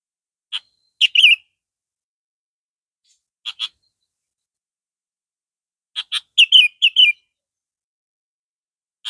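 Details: A captive red-vented Sooty-headed Bulbul of the central and northern Vietnam type sings short, bright, bubbly phrases of two to five quick notes, spaced a few seconds apart, against a quiet background.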